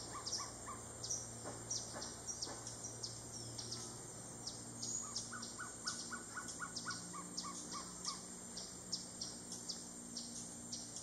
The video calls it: Gartered Trogon